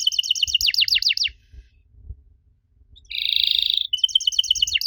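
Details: Canary singing intended to make young canaries answer: a short burst of repeated swept notes, a quiet gap, then a buzzy rattle and a quick trill.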